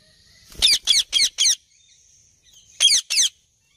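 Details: Alexandrine parakeet giving a fast run of four loud, grating squawks, each harsh and ringing, then a short pause and two more screeches in quick succession; no other sounds stand out.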